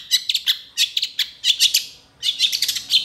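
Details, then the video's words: Long-tailed shrike in vigorous, agitated song, quick to respond to other shrikes, a varied song full of imitated phrases; here clusters of harsh, scratchy high chirps come in bursts of three or four with short pauses between. "PENTET GACOR EMOSI CEPAT DI RESPON CENDET LAIN, MASTERAN CENDET FULL ISIAN"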